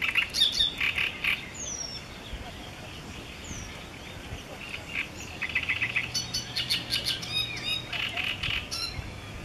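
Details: A great reed warbler at Jaworzyna Śląska, Poland, on 20 May 2014 sings loud, harsh, grating phrases of repeated croaking notes. Thin downslurred whistles from another bird and a low distant hum are also heard.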